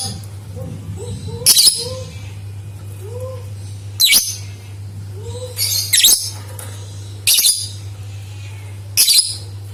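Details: Lovebird song played to prompt other lovebirds to sing: six brief shrill, buzzy bursts at irregular intervals, with soft lower chirps from another bird between them and a constant low hum.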